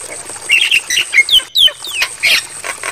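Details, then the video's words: Brief Javan myna tutor passage meant for night playback: squeaky chattering notes, slurred whistles sweeping downward, and a final raspy burst, over a constant high hiss. "Masteran Bagus Untuk Burung Jalak Kebo"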